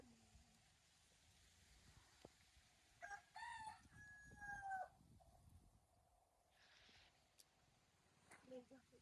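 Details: A rooster on a farm crowing a great deal: one drawn-out, rising-then-falling crow with a strained ringing tone midway through, then quiet with scattered faint knocks and rustles.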